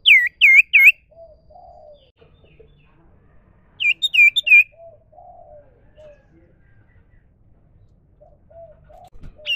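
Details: Wild common iora in natural song, with short bursts of three or four clear downslurred whistles separated by pauses. A low, mellow dove cooing repeats steadily in the background.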